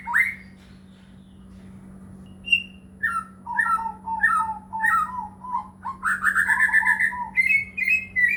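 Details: White-rumped shama song used as a lure to make other shamas sing: varied clear whistled notes, some falling and slurred, a few short repeated phrases, then a rising run of fast whistles, over a steady low electrical hum.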